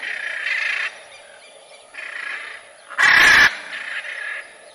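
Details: Macaw giving one loud, harsh, broad squawk lasting about half a second, set among softer, lower-level raspy calls before and after.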